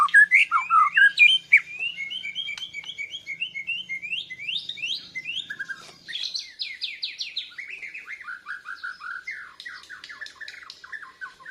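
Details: Bornean white-rumped shama learning to sing, reacting to a lure recording with breast plumage raised; loud opening whistles, then long runs of quick repeated chirping notes that rise and fall in pitch.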